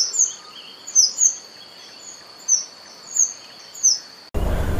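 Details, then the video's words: Chestnut-vented conebill singing thin, high, downslurred notes in quick pairs about once a second over a constant high-pitched drone, cut off at the end by a sudden burst of broadband noise. "O canto da Figuinha de rabo castanho"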